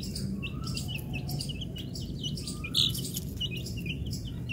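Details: Colourful chicken chicks at eating time in a desi chick market. Many high, short peeps overlap in constant busy bursts, with one louder cheep near the end, over a steady low background rumble.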